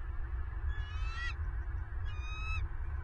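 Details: Bald eagle at a nest camera in Southwest Florida, 27 November 2022, morning: two thin, squealing whistled calls with a slightly falling tone, about a second apart, against low wind rumble.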